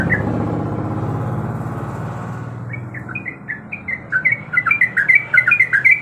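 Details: Female yellow-vented bulbul in breeding condition calling to a male: after about three seconds of low rumbling background, quick chattering notes begin and grow louder and denser toward the end.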